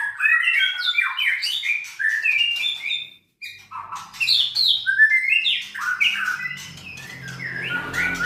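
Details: White-rumped shama from a Sragen, Indonesia breeding farm for contest birds, giving rapid bursts of bright slurred whistles, roughly three phrases a second, a brief silence, then more cascading notes with faint low background hum.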